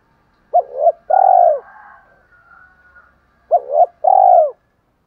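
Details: Spotted dove used as a decoy, cooing in the morning to call in wild doves: two low phrases about three seconds apart, each a quick wavering double coo followed by a longer, smooth, slightly falling croo; a faint soft murmur in between.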